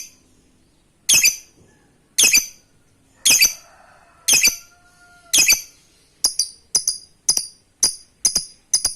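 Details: Lovebird, a fighter bird kept to set off long ngekek trilling in others, gives harsh, high squawks spaced about a second apart, then a quicker run of short sharp chips; quiet room between calls.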